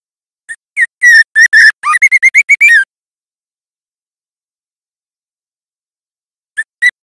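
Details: Speckled juvenile white-rumped shama practising its song, played to provoke other shamas: rapid burst of bright whistled and chirped notes with a rising slur, then a long silence before two short whistles at the end.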